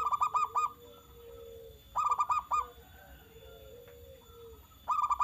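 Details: Zebra dove in full song, played to provoke other zebra doves into answering: three quick bursts of four or five ringing, throaty cooing notes, spaced about two to three seconds apart, over a faint low hum.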